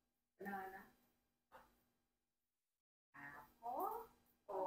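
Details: Rocky, a 4-year-old Congo African grey parrot kept as a pet with other parrots, says a few short, human-like words in brief bursts with pauses between them, sounding like a voice in a quiet room.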